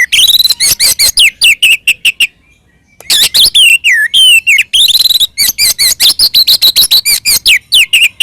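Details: Oriental magpie-robin delivering an aggressive song to provoke other magpie-robins; nearly continuous loud, high chips, whistles and sliding notes at a rapid pace, broken by one short gap.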